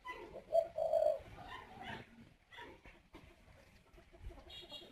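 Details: A male spotted dove in a breeding aviary in northern Vietnam goes up to the nest and coos to urge the female to lay her next clutch. The phrase is a low, soft, mellow coo held about a second, followed by quieter rustling.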